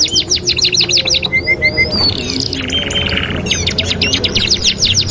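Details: Canary song used as a master recording for training canaries: rapid repeated downward-sweeping high notes, short level whistles, a buzzy rolled section, then fast trills again, over a low rumbling background.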